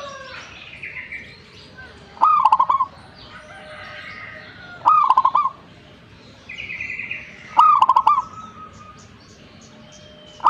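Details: Zebra dove in energetic song, repeating a short bubbling coo phrase roughly every two and a half seconds, three times. Each phrase is a leading note and then fast clipped pulses. Other small birds chirp higher in between.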